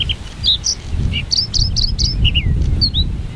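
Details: Breeding white-spotted bluethroat, Luscinia svecia cyanecula, perched singing on giant hogweed at Ezumakeeg, Lauwersmeer, Friesland: sharp high chirps, buzzy bursts and rising and falling whistled notes in rapid succession, with constant low wind noise beneath.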